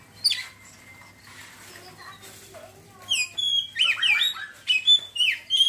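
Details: Oriental magpie-robin opening into ngeriwik song, a few soft notes first, then a dense burst of bright, twisting whistles and chirps crowding the last two seconds.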